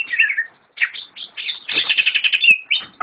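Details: Greater green leafbird (cucak ijo), a caged bird kept by a friend, singing a busy run of chirps and warbled phrases around a high, bright band, broken by a short pause and ending in a rising whistle.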